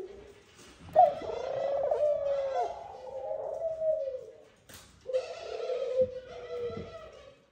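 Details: At the nest, a male Eurasian collared dove courts the female with two long, rolling coos separated by a short pause, each sustained several seconds, with faint high chirps behind.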